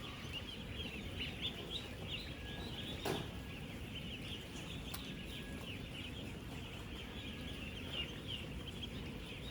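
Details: Thousands of 10-day-old ducklings on a real duck farm, about 16,000 together, moving, eating and drinking: a dense, continuous chorus of high, short peeps overlapping without pause, over a steady low rumble, with two brief sharp clicks.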